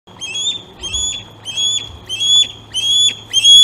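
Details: Osprey at the Glaslyn nest, filmed by a nest camera on 26 August during fish feedings. Six shrill whistled calls, each with a slight upward inflection, come at a steady rate of about one every 0.6 seconds over a faint low hum.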